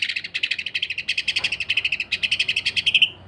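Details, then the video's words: Greater green leafbird in full song, delivering harsh, rough, tightly packed notes in the 'sewing machine' style used for tutoring and provoking other leafbirds: about thirty rapid buzzy pulses with a brief break, ending on a thinner note. "MASTERAN DAN PANCINGAN Cucak Ijo. Kasaran Rapat Mesin Jahit dan Suara Aneh"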